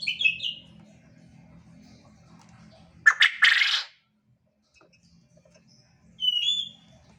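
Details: Quail in full, active voice: a short high whistled falling note opens, a harsh loud rasping burst follows midway, then silence and one more brief high whistled note near the end, with a faint low hum beneath.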